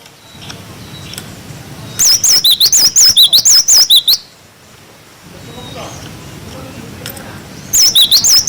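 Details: Cinereous tit 'wucit wucit' tutor song for untrained birds: a burst of about eleven high, piercing whistled notes, a pause with faint low background noise, then another short burst starting.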